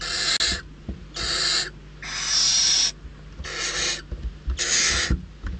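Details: Famished barn owl young at an Ebro Delta nest, Riet Vell reserve, contesting a parent's prey delivery; five broadband rasping hisses, one drawn out near a second, repeated about every second.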